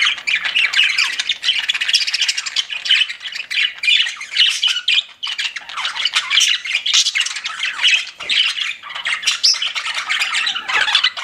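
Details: Budgerigars kept as pets keep up a long, unbroken warbling chatter of chirps, clicks and scratchy squawks, several birds overlapping throughout.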